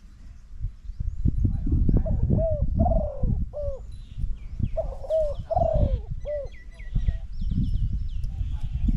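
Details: Spotted dove calling during decoy trapping: a series of low, hoarse cooing notes with falling and bending tones in two bouts, over a steady low rumble and faint higher chirps of other birds.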